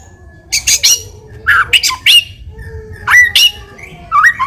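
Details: White-rumped shama song played as a lure to draw a reply: short harsh raspy bursts alternating with bright upslurred whistles, phrases spaced about a second apart.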